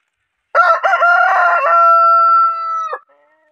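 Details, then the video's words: Desi rooster crowing: a single loud cock-a-doodle-doo with choppy opening notes and a long steady drawn-out final note lasting over a second. "Aap ko Mere Murge ki Awaz kasi lagi"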